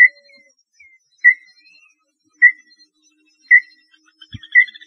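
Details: Small-billed tinamou, known locally in Brazil as lambu pé roxo, singing: clear, short whistled notes spaced roughly a second or more apart, each with a slight downward tail, with a soft click near the end.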